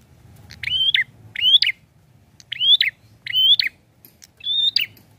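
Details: Prinia singing in five loud phrases about a second apart, each a high whistled rising note followed by a sharp down-slurred flourish, with a faint low hum beneath.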